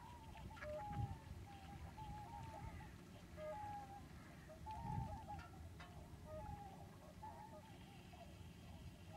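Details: Common cranes at Lac du Der in late February 2011, during an exceptional migration wave of tens of thousands of birds. Many distant trumpeting calls overlap and roll, over a steady low rumble of background noise.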